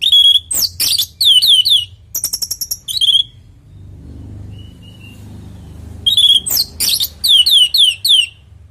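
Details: Orange-headed thrush singing loudly, meant to make other birds answer: clusters of quick downslurred whistles and harsh chips, a pause of about three seconds with faint distant calls, then another rapid burst.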